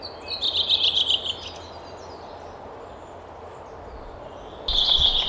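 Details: Waxwing trilling: a high, buzzy, rippling trill at the start, a quiet stretch, then a louder burst of the same trill near the end against steady low background noise.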